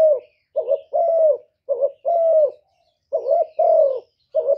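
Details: Spotted dove calling to provoke wild birds, in thổ-style voice. Several hoarse coos, each a brief doubled lead note and a drawn-out lower coo, spaced roughly a second apart against quiet.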